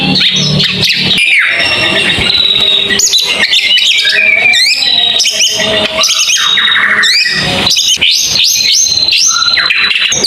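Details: White-rumped shama in a long, loud, continuous song of varied whistles, sweeping slurs and rapid trills, with dense overlapping phrases throughout.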